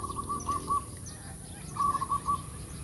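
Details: Zebra dove song in the full kerot style, used as a lure: two runs of short soft cooing notes on one pitch, four or five notes each, separated by a pause, over low steady background hum.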